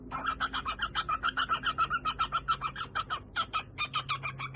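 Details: Singing pet cockatiel, a male, giving a continuous string of scratchy, chirping notes at a quick, slightly uneven pace, with a faint low hum underneath.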